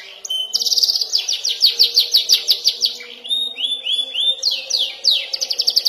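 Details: Young canary practising rolling and sharp shooting phrases: a dense buzzy trill, a run of falling chirps, slurred rising whistles, then fast, bright chirping again.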